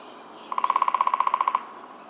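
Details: A Hairy woodpecker in spring near the Willamette River in Eugene, Oregon, gives a fast, even rattle of about sixteen sharp, mid-pitched notes in one second, holding steady in pitch before stopping abruptly; otherwise quiet.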